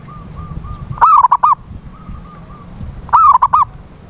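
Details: Zebra dove cooing played as a lure to get a silent dove to sing: two short phrases of clipped, hollow coos, each opening with a slurred note and then quick repeated notes, with a faint series of soft, even tones in between.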